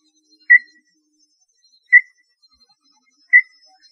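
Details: Small-billed tinamou song: three clean, piercing whistles with abrupt starts and short tails, evenly spaced about 1.4 seconds apart in otherwise quiet surroundings.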